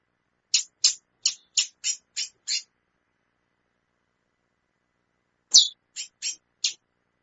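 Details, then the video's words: A female chestnut-bellied seed finch calls a lot, giving a quick run of seven sharp, high chips, then a pause and four more chips. "fêmea de curió chamando muito"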